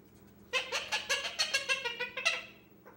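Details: Pet 10-month-old male Indian ringneck parakeet, indoors, talking to himself while playing alone, recorded on a hidden phone a month after he began talking; a quick run of about ten harsh, mumbled chattering syllables over two seconds, quiet room.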